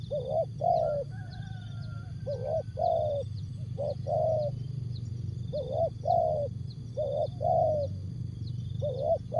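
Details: Tekukur (spotted dove) singing jergot, tapau or bungkus style: repeated phrases of two to three rounded coos, the last note longest, with a faint whistle early on, constant high whine and low rumble.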